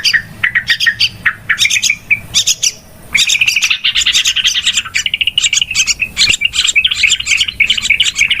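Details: Yellow-vented bulbul noisy calls used as a lure when trapping birds: scattered sharp chirps at first, then after a short gap a continuous, busy chatter of quick, squeaky notes.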